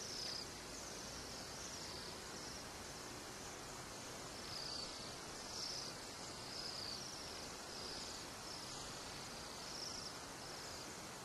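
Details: Bohemian waxwings (Bombycilla garrulus), a flock weighing down branches in the East Kootenays, British Columbia, give thin, high, sibilant trills every second or two over a steady hiss of wind-like background noise.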